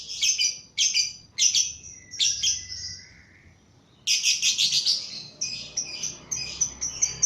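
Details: Lovebird, lively and agitated by a lure recording, giving a ngekek-style song: bursts of shrill, high chattering notes in rapid trills, a pause near mid-clip, then a longer dense run of sharp chirps.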